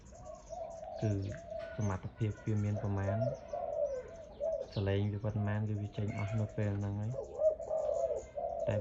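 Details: Loud-voiced caged dove offered for sale, delivering a series of low, throbbing coos in short bursts and longer rolling phrases, with faint speech between calls.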